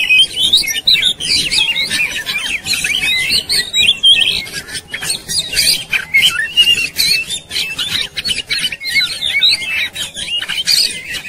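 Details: Agitated white-rumped shama in fighting display with tail spread: long, nonstop torrent of varied whistles, twitters and harsh scratchy notes, very dense and energetic.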